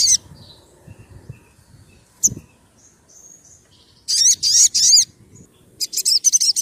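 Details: Sogon sunbird song used as a bird lure and as therapy for birds that go silent: a brief sharp note, thin high whistles, then strident very high rapid chattering bursts repeated in quick series, with faint low background rumble.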